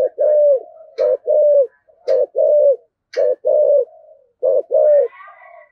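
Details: Spotted dove cooing in the 'giọng thổ' style, used as a decoy to stir wild doves to answer: deep hollow coos in phrases of two or three, a sharp click before several phrases, ending with a thin, higher twittering.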